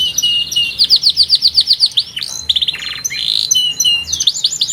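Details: Canary delivering a strong song: an even run of high sweeping chirps, a held whistle, a buzzy rattle, and renewed quick chirps.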